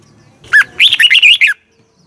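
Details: A red-whiskered bulbul's morning song in 'giọng kép xoắn' style, used for training birds, from 2020: one bright warbled phrase of about a second, sharp opening note then a fast run of twisting whistled notes, quiet afterward.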